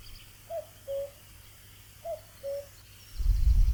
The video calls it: Cuckoo calling